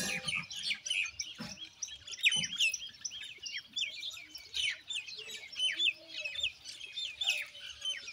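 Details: Common Indian myna calling with quieter, steady chatter of squeaky, slurred chirps and short rising whistles, punctuated by a few soft low thumps.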